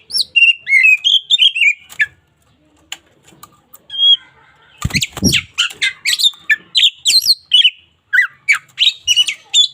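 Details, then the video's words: Local white-rumped shama in full song, a caged bird used for daily tutoring: bursts of varied whistles and harsh chattering notes, rising and falling sweeps, pausing briefly before a dense rush of rapid mimicked phrases. "KACER LOKAL GACOR SUARA UNIK COCOK UNTUK MASTERAN HARIAN!"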